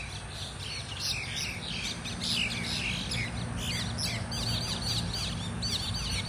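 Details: A group of mynas fighting together: dense, overlapping harsh chatter and squawks in rapid irregular bursts, with short whistled notes and a low background hum.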